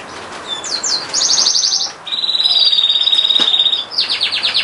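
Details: Canary singing a fast series of trilled phrases: rapid repeated high notes, a long even buzzy trill, then sharp descending repeated notes, in a quiet room with light background hiss.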